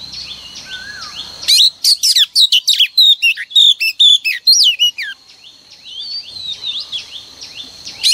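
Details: Female oriental magpie-robin singing, played each morning to stir males into song: a quiet stretch of faint distant whistles, then a burst of loud, rapid, varied high chirps and sweeping notes lasting about three and a half seconds before fading back to soft background calls.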